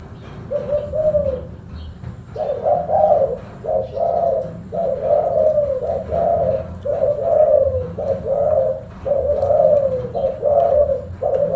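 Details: Spotted dove, a kept bird, giving a series of low, hollow cooing phrases around 500-700, each coo slightly rising then falling, grouped in a steady repeated pattern roughly every second, with faint background hum and low rumble.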